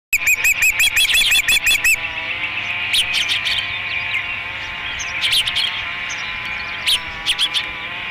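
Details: Osprey at a nest at Dunrovin Ranch during the third feeding of 30 May 2016: a fast series of high, piping chirps repeated several times a second, then scattered sharp chips over a steady background hum.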